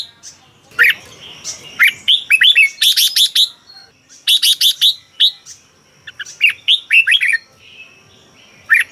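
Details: Red-whiskered bulbul in a cage in Thailand, song meant to rouse other caged birds: quick liquid whistled phrases alternating with fast runs of sharp chattering notes, phrases spaced a second or so apart.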